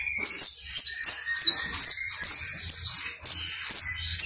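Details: Saffron finch (canario basto criollo) song: clear, high, sharply falling chirps delivered about twice per second, punctuated by lower whistled notes, with soft background hum.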